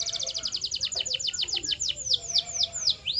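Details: Canary song used for training birds to sing louder and longer: a very fast high rattle of repeated notes that slows into drawn-out downslurred whistles.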